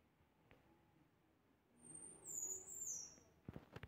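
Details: Pectoral sparrow giving a thin, piercing, high whistle that slides downward over about two seconds, followed by several sharp knocking clicks at the end.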